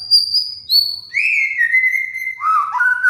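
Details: White-rumped shama (murai batu), a cage bird, singing a training master song: high level whistles dropping to a long lower whistled note, then quick warbled notes rising and falling.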